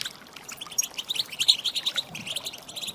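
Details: Female European goldfinch calling to rouse males to song: a quiet sequence of short, tinkling high chirps, clearest in the middle, against soft background hiss.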